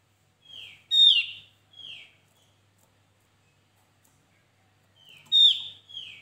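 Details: Javan white-eye, lure recording for bird trapping; soft lead note, loud falling whistle with harmonic stack, then a softer slurred note, the three-part phrase repeating after a long pause.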